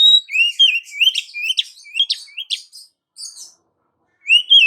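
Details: Oriental magpie-robin female calling for the male, giving a rapid run of sharp, high chirps and rising slurred whistles for about three seconds, a brief pause, then one more upward whistle.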